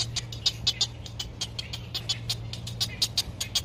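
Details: Nestling great egret waiting in sunshine for a parent to feed it: crisp, rapid ticks and clacks, bright and dry, coming in quick irregular bunches above a faint low hum.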